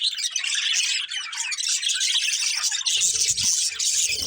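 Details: Budgerigar breeding pair keeping up busy, high, scratchy chatter with clicks and squeaks throughout; a low rumbling thud enters during the last second and a half.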